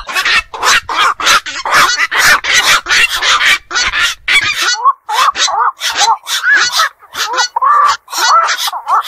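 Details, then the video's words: Black-crowned night heron (bakchu) of ponds and wetlands: a dense chorus of harsh, goose-like squawks, thinning after a few seconds into separate nasal, slightly rising croaks. "বাকচু পাখির ডাক. নিশি বক এর ডাক."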